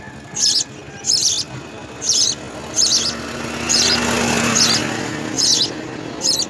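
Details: Begging house sparrow chicks fed insects at the nest give short, scratchy high bursts about once a second, with a hissing noise swelling midway and faint music beneath.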